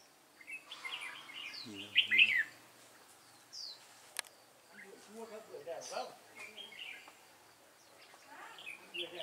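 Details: Red-whiskered bulbul acting as decoy in a fighting trap: lively chirped phrases with a loud burst around two seconds, a man's voice briefly underneath, then further scattered warbles.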